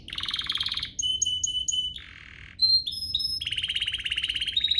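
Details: Canary singing to provoke other canaries into song, moving from a buzzy trill to clear whistled notes repeated four times, a lower rattling roll, short high pure notes and a closing rapid trill.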